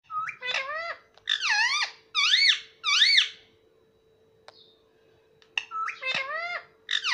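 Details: Pet parrot, said to speak words such as mummy, papa and mitthu. It gives loud, wavering squawked syllables in paired bursts, then a brief pause before more, in a quiet room with a steady faint tone.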